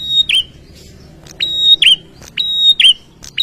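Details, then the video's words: Male bar-winged prinia singing persistently to provoke rivals into answering: three phrases, each a click, then a long level piercing whistle and a quick downward swooping twist, repeated about once a second. Faint low hum underneath. "SUARA PRENJAK JANTAN GACOR NGOTOT BIKIN LAWAN CEPAT NYAUT"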